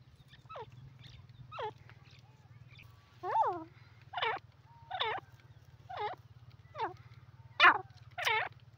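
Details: Grey francolin (teetar) giving a run of harmonic, downward-sweeping notes roughly once a second, some doubled, growing louder toward the end over a steady low hum.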